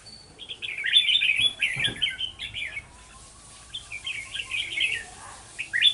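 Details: Red-whiskered bulbul serving as a trapping decoy, 11 November 2018: two bursts of lively warbled, slurred notes separated by a quiet gap, with a brief low thud and faint background noise.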